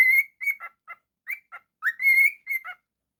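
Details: Pet cockatiel giving a series of short whistled calls, some rising and clear, others rougher chirps, in bursts separated by brief silences over about three seconds.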